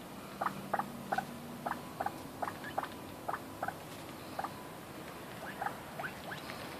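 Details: Captive red golden pheasants (Chrysolophus pictus) being fed give soft, squeaky chips, singly and in quick pairs and triplets, at an irregular pace over a faint steady background hiss.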